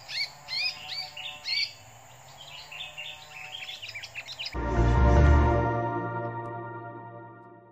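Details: Sooty-headed bulbul, a decoy bird fighting a wild bulbul, giving quick chattering and twittering notes in short bursts for about four seconds, then a loud rumbling noise burst drowns the recording.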